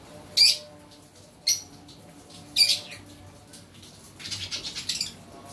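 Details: Green lovebird making mating sounds: three sharp, high squawks about a second apart, then a fast run of softer chattering notes near the end, with a low background hum.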